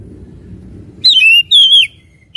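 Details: Oriental magpie-robin song used as a lure to provoke fighting spirit; after a second of low background rumble, loud clear whistles slide downward, then after a brief gap a long wavering whistle falls at its end, followed by a short closing note.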